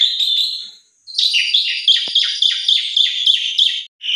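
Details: Lure song of an Asian pied starling, used to prompt quiet or stressed starlings into song: a harsh buzzy note, a pause, then a steady string of raspy, chattering phrases with a short click midway.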